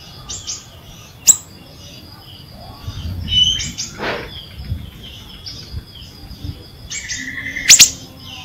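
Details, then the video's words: Ashy drongo in lively song, offered as a lure to get quiet birds singing; varied high chirps, a thin whistled note and a sustained whistle near the end, with a couple of sharp clicks. "siri siri gacor"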